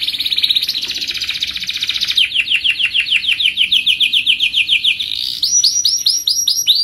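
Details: Canary's long rolling song, used to coax other canaries into singing: a sustained high trill, then a long run of quick descending sweeps about three per second, closing with bright rising notes.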